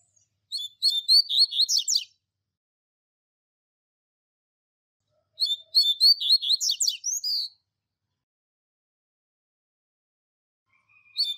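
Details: Double-collared seedeater, a master tutor bird singing the classic Tui Tui Zel Zel song used to train young birds: two high, quick phrases of chirped and sweeping notes, each about one and a half seconds, roughly five seconds apart.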